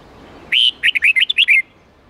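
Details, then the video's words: Red-whiskered bulbul song in the wild 8-9-10 note style used to teach young birds: a long, bright whistled note, then a rapid string of about seven rising and falling liquid notes, ending on a descending slur. "Luyện Chào Mào Hót Giọng 8-9-10 Ép Chim Non Học Giọng Chuẩn Rừng"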